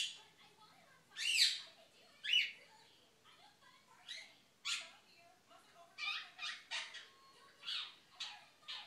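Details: Six-month-old female pet quaker (monk) parrot indoors talking to the dog, filmed secretly; a series of short, bright, harsh chattering bursts and squawky syllables, a few loud, repeated about once a second with uneven spacing.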